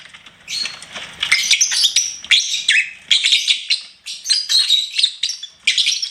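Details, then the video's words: A pet lovebird pours out continuous shrill twitters and whistly squeaks, busy and scratchy, with hardly a pause. "LOVEBIRD SINGING & CHIRPING SOUNDS"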